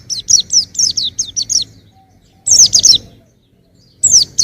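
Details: Young white-eye giving a quick series of high, down-slurred chirps, then a tight burst of four notes and a final short phrase.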